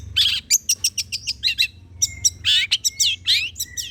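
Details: Long-tailed shrike song used as a lure to make shrikes answer: a lively, varied string of loud, high chirps, sharp whistled notes and harsh squawks in quick irregular bursts over a faint low hum.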